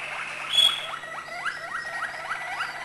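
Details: Malinois canary singing acute notes: a rapid series of short rising liquid notes, repeated about four times per second in an even roll, with one sharp high note near the start.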